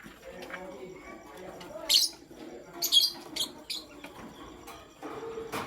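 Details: Shrill, scratchy chirps from pastel gray and green lovebirds in the morning, about a handful grouped in the middle, over a steady background of soft chatter.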